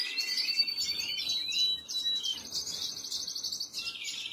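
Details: Young canaries calling while being fed, April 2022: a dense, busy stream of shrill, high chirps and squeaks, rapid and irregular, with no other sounds clear.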